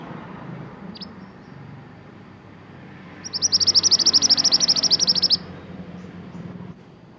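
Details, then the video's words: Pied bushchat, native to Indonesia, in full song for training caged songbirds: one faint high note, then a two-second burst of quick, even, high-pitched notes before it stops abruptly over a low rumble. "BURUNG MANTENAN GACOR UNTUK MASTERAN"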